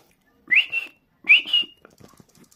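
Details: A cockatiel, relaxed, gives two bright whistled notes, each sliding up then holding steady, a second apart.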